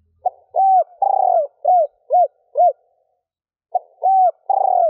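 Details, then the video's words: Excitement coo of a female spotted dove, given to stir males. The phrase runs from a short note and an arched hoot into a long buzzy falling coo, then three ending hoots. The pattern repeats after a pause. "Tiếng cu gáy mái gù gáy kích bổi nhanh gáy / Chim cu gáy mái 3 hậu gù cà lăm / cu mái kích bổi"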